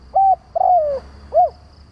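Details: Lure call of a spotted dove meant to provoke rival doves: one short level coo, a longer gliding note sloping downward, then a short arched coo, over low background rumble.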